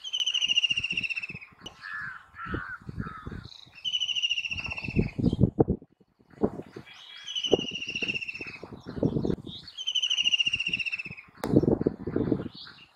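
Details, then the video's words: White-throated kingfisher (Halcyon smyrnensis) giving loud, shrill, slightly falling rattling calls in bursts of about a second and a half, repeated several times, over low thumping wind noise. "Call Of White-Throated Kingfisher Bird"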